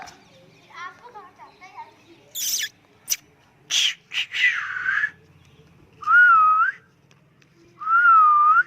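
A parrot chatters in speech-like warbles and harsh bursts, then gives two drawn-out whistles that waver up and down.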